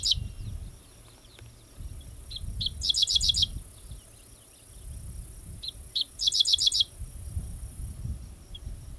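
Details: A Dickcissel (Spiza americana) at Goose Lake Prairie on 5 July 2014 sings twice, about four seconds apart: a few sharp introductory notes, then a fast, buzzy, stuttering series, high-pitched over low wind rumble.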